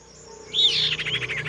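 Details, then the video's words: Female common iora calling to attract a male: a quick, high chattering call of rapid pulsed notes that sag slightly in pitch, after a brief quiet start. "BURUNG SIRTU BETINA GACOR MEMANGGIL JANTAN"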